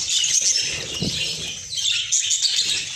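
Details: Several caged budgerigars respond to fresh corn with a steady stream of high chattering chirps and twittering warbles, along with light fluttering.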